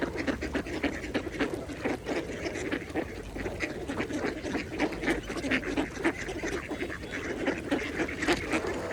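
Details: Mallard ducks feeding at a pond produce rapid, irregular quacks and dabbling clicks, several each second, over gentle pond water noise.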